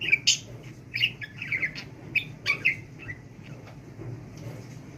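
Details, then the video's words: A budgerigar being taught to talk gives a few scattered, rasping warbles and squeaky chirps, then falls mostly quiet, with a steady low hum behind. "NEFES ALMADAN KONUŞAN MUHABBET KUŞU"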